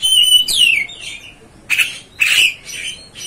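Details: Kacer (Oriental magpie-robin) provoking song: a long whistle sliding downward, followed after a pause by two harsh, buzzy bursts.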